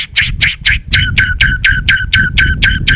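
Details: White-rumped shama, kept for song training, giving a steady run of harsh, scratchy chack notes, about four per second, each with a lower tonal edge, loud and close.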